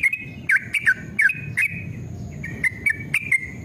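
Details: Yellow-vented bulbul song meant to stir caged birds into answering: clusters of quick bright whistled notes with dipping slurs, a brief pause midway, then more notes over a faint low background rumble.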